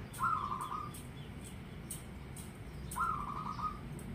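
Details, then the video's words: Local zebra dove singing actively: two rolling, trilled coos about three seconds apart. Each is a short bright note that drops into a fast, even, mid-pitched bubbling roll. Faint clicks and low background rumble underneath. "Perkutut Gacor"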